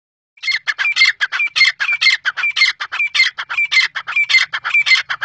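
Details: Black francolin calling: a steady run of harsh, grating, rasping notes about four per second, each with a brief squeaky upper tone, kept up without pause in an otherwise quiet setting.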